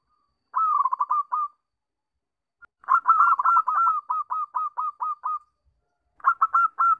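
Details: A zebra dove's song: three bursts of rapid, soft staccato cooing notes, mid-pitched and rolling, each ending in a longer drawn-out coo, used as a lure to prompt doves to sing.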